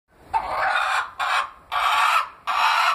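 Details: A pet Leghorn hen gives four harsh, raspy squawks, each roughly half a second long, with short gaps between. No other sounds are heard.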